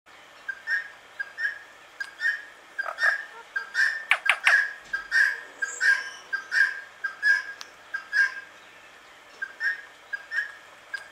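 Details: Indian ringneck parakeet in a very calm mood giving sweet, soft chirping notes, repeated about every 0.7 seconds in an uneven series, with a few sharp clicks in the middle stretch.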